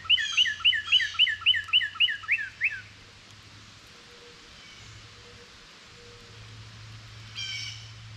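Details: A Northern Cardinal waiting for fallen seeds near a feeding squirrel sings about nine clear, downslurred whistles, roughly three per second, then a brief closing note after a pause, over a faint low hum.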